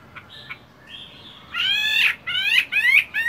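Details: Chinese hwamei in a cage, a fighting bird still doing morning song practice during its moult, opens with a few soft thin notes and then delivers loud, rich, repeated rising whistled phrases.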